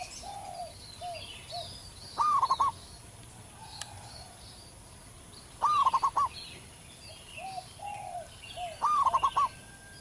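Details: Wild local zebra dove (perkutut) giving strong, stuttering trilled coos in three bursts, about every three and a half seconds. Softer low cooing notes and chirps of other birds are heard between bursts.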